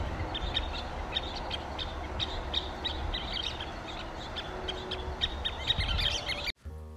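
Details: A scissor-tailed flycatcher call: short, sharp, high clicking notes repeated irregularly about twice a second, over a low steady rumble and faint background hiss.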